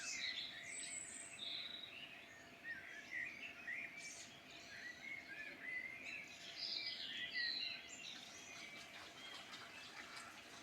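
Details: Birds singing in the Midlands of Ireland: a busy mix of sharp chirps, sweet whistled notes and quick trills from several birds, fairly continuous throughout, with a soft hiss beneath.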